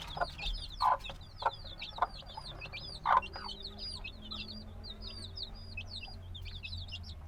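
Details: Black chicken chicks hatched a few days ago, binaural field recording: a constant chorus of high, thin peeping chirps, many overlapping, with a few louder lower clucks.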